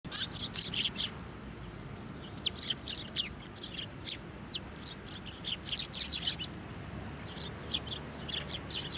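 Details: Sparrows, several, at a Tenmangu shrine on 24 November 2023, being fed on posts and from a hand: dense bursts of sharp, high chirps in quick clusters, overlapping and repeated throughout, over a steady low background hum.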